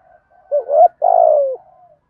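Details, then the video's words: Decoy spotted dove cooing in the thổ style to excite other doves: faint soft notes lead into one loud phrase, a brief swooping hoot and then a longer, steady coo that slides gently downward. "chim cu gáy mồi gù thúc bài bản/ chim cu mồi gù thúc giọng thổ rất bài bản"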